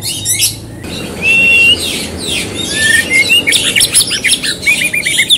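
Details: Singing white-rumped shama, its song played to coax another bird into singing: dense bursts of high chirps and clear slurred whistles, some drawn out and rising, tumbling quickly one after another in an energetic, varied phrase.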